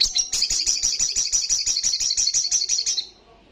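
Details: Olive-backed sunbird giving a fast, loud 'ngalas' song: a steady, shrill trill of about twenty-two rapid pulses over three seconds, fading out at the end.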